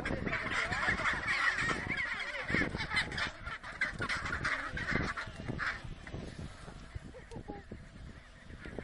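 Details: Chinstrap penguins on the Antarctic Peninsula call while fighting. Dense, raucous, goose-like honking and braying runs almost nonstop and fades slightly toward the end.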